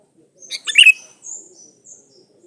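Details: A single bubbly, chattering phrase from a vigorously singing Sooty-headed bulbul, used as a lure, trailing into soft high whistled notes.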